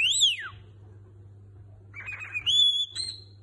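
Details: Pet cockatiel whistling parts of human songs such as La Cucaracha, indoors: a loud arched whistle rising then sliding down, a pause, then warbled notes leading into a pure steady high whistle.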